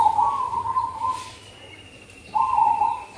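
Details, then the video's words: Zebra dove song used for luring in the cold season: two soft, purring trilled coo phrases separated by a pause of about a second. "Burung perkutut suara top untuk pikat dan pancingan di musim dingin || merbok kampong"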